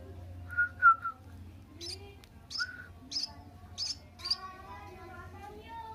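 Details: Munia chick seven days old: short thin high cheeps in scattered bursts, a few lower chirps at the start, over a faint low hum.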